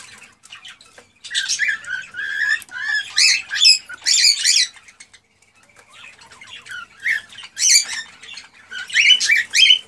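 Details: Male cockatiel in excited mating song to stimulate the female: bursts of buzzy, harmonic chirps and upward-swept whistles, a quieter stretch in the middle, then loud rapid notes again.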